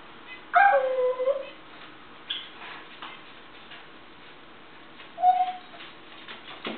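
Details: African grey parrot in good spirits on a kitchen table in the morning gives a descending harmonic whistle, then softer clicks and a short level whistle.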